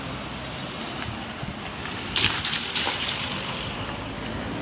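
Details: Broadband rushing noise like wind or surf, with a louder gusty burst midway, and no animal voice.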